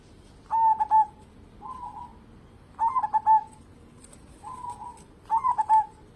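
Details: Zebra dove of local stock, valued as a lure to get other birds singing: three loud bubbling coo phrases, each a quick stutter ending in a drawn-out tone, alternating with softer buzzy coos, over low steady background noise.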